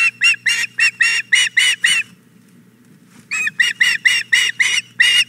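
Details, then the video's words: Osprey female at a nest at Hog Island Boathouse, begging for the fish the male has just brought. Loud series of harsh, whistled chirps, about four per second, in two bursts separated by a pause, with a low steady hum beneath. "She just wants the fish"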